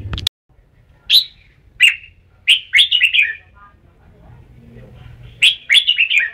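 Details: Red-whiskered bulbul giving quick bursts of bright, slurred, chirpy whistles in short rushed phrases with pauses between. There is a sharp click at the start and a faint low hum in the background.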